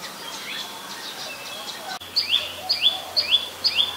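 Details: Adult Common Tailorbird, a common resident, recorded in Ubon Ratchathani, Thailand, on 20 April 2022: after a quiet two seconds of faint distant chirps, loud sharp notes sweep down then up, repeated four times at roughly half-second intervals.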